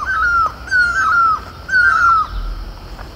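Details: A great (Himalayan) barbet on horse chestnut blossom in Garhwal, Uttarakhand, in the Himalayas, gives three loud, mewing, level notes about half a second each with a slight drop at the end, repeated steadily.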